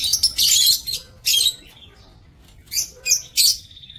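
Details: On 27 March 2024 in an aviary, lovebirds let out loud, grating squawks in short bursts, a pause, then three more sharp shrieks ending in a thin, steady high whine.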